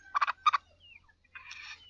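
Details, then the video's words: {'caption': 'Black francolin, a gamebird, in a short call: two harsh bursts of buzzy, broadband notes near the start, then a longer raspy phrase after a pause.'} "Kala Teetar Sheedi Nasal Black Franclion Voice"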